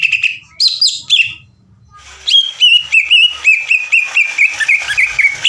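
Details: Lure recording of a vocal greater green leafbird: a few bright whistled slurs, a short pause, then a fast machine-gun 'ngekek' chatter of even, sharp notes at about four per second, slowly dropping in pitch.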